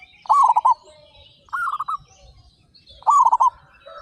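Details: A flock of thirty-five local zebra doves in full loud song. Three clear stuttering, trilled coo phrases come about 1.3 seconds apart, each a quick run of beaded notes, over faint higher chirps.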